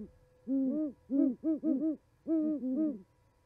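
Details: At an osprey nest in Charlo, Montana, owls chat on 11 January 2020; two clusters of low, mellow hoots, each burst several notes long, with two birds calling over one another before a short pause.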